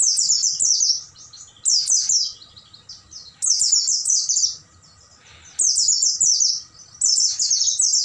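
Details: Caged-bird training recording of an Oriental white-eye singing at night: five longer bursts of rapid, high-pitched, cascading twitters, each about a second, with brief quiet gaps and soft low background rumble.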